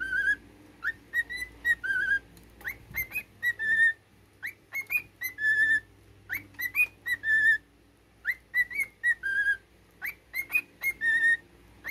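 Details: Pet cockatiel whistling a learned military tune: clear piped notes with rising swoops and steady held tones, grouped in short repeated phrases separated by brief pauses, over a faint low room hum.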